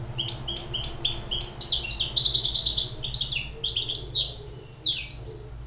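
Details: A six-month-old hybrid finch sings indoors. It gives a fast, dense twittering run of high, buzzy and tinkling notes with short gaps, and a low hum runs beneath.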